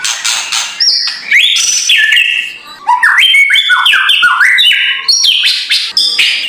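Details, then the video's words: White-rumped shama singing its harsh kretekan style, used in the morning to stir a lazy shama into song: dense bursts of clear whistles stepping up and down, bright high notes and rapid phrase changes. "MURAI BATU LANGSUNG NGEGASS KRETEKAN K4SAR SUARA RAME || Memancing emosi murai batu malas bunyi"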